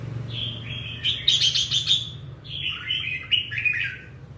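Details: A red-whiskered bulbul in the 'ché' style, described as fired up, gives two clear runs of fluty, bubbling notes. The second run falls in pitch at its end, over a constant low background hum.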